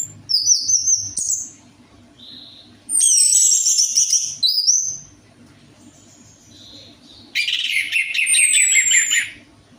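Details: Song of the orange-headed thrush (anis merah) used as a lure for a bird that rarely sings: three bright whistled bursts, with quick high trills, a rasping sweep and a long rich warble at the end, over low hum.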